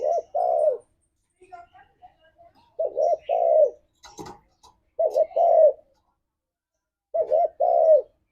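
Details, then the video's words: Spotted dove lure recording in the 'ngalas' style, used to make a caged dove sing along: hollow two-part cooing phrases every two to three seconds. A brief rustle and faint chirps sound between the phrases. "Suara Burung Tekukur Ini Pancingan Tekukur Gacor Suara Ngalas"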